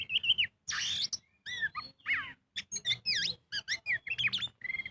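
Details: Oriental magpie-robin (kacer) in energetic 'gacor full ngobra' style, used as a lure to prompt other birds to sing: varied clear whistles and sweeping slurred notes in short bursts with brief pauses, plus a faint low hum.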